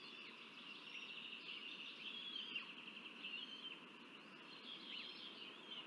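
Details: Northern goshawk chicks in Riga, Latvia, on BKUS grounds, 17 May 2024, as the female Perle feeds them: a thin, high, overlapping whine of begging calls, some notes sliding up and down, over faint outdoor background noise.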